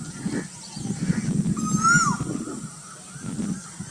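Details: A cuckoo in Burdwan gives one clean, upward-sliding whistled note that ends in a quick downward flick. Low murmuring noise persists throughout.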